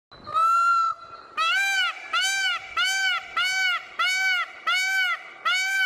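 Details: Male Indian peafowl giving loud, nasal, honking calls: one long note, then six short arched blasts about every half second. No other sounds.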